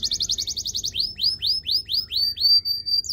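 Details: Canary song used for training: a rapid rattled tour of repeated notes, then clear upward-sweeping whistles repeated about three per second.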